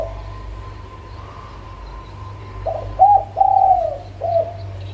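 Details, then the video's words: Local zebra dove coo played to encourage idle birds to sing: a few soft, low rounded coo notes near the end, under steady hum and background noise. "SUARA Pancingan Burung Perkutut LOKAL"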